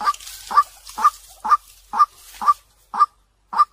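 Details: Lure call of a white-breasted waterhen, used to bring birds in fast: eight clean, loud 'kwak' notes about twice a second, with faint hiss early on and silence between the later notes.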